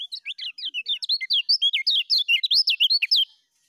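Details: Rapid, continuous ngejos song of a lemon-bellied white-eye, used as a master recording for training new birds: a fast, unbroken stream of high warbled, rising and falling notes for over three seconds, then silence.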